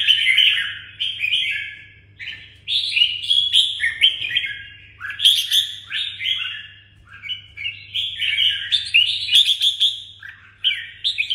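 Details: Kept red-whiskered bulbul from Đồng Nai singing: rich warbled phrases of quick slurred whistles, rising and falling, delivered in bursts separated by brief pauses, with a faint low hum underneath.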